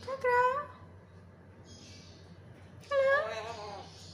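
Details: Black-capped lory speaking two short, voice-like words, one at the start and one near the end. The second word is longer and has a warbling, rising-falling inflection. A quiet pause between them carries a faint hum.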